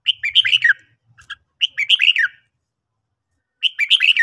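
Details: Red-whiskered bulbul singing in the morning: three bright, rapid warbled phrases of chirpy up-and-down notes, the first two close together, then a pause before the third; faint low rumble beneath the first phrase.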